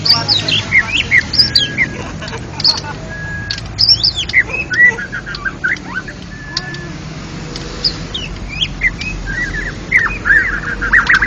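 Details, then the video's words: National champion white-rumped shama singing in ngeplong gacor style at a songbird contest: rich, varied whistled phrases with sliding notes and quick trills, pausing mid-clip, over steady low background rumble. "Murai Batu Ngeplong gacor Juara Nasional"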